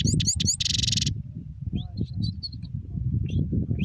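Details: Goldfinch rolling song in a short burst: a few high chirps leading into a harsh buzzy trill, then scattered faint twitters over a low background rumble.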